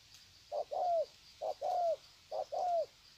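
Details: Spotted dove (bổi), Sê San, Vietnam, 21 February 2020, greeting another dove with a long coo series; low mellow coos, each a short note then a longer falling one, repeated three times, with a steady high insect whine behind.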